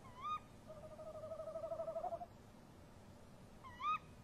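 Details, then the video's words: A male and female tawny owl call to one another at a nest box on 23 March 2015 at 03:07. A rising sharp call comes first, then a long quavering hoot, then a gap, then another sharp rising call. "Bosuilen roepen"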